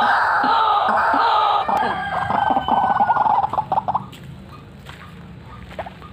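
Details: Cackling, rolling white-breasted waterhen call: a loud dense croaking run that breaks into separate harsh notes, then fades to a few faint calls.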